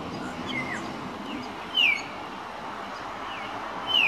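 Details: A figbird, one of several seen at Pacific Pines Central Park, gives loud, clear whistles that drop sharply in pitch, about two seconds apart, with fainter similar notes between them over a steady background hiss.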